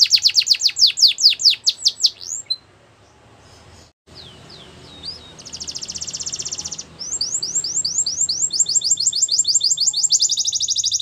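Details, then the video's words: Russian canary training song: fast descending chirps, a pause with scattered whistles, then a loud rolling trill and renewed repeated notes, against steady background noise. "Russian Canary Sining | Canary Training Song"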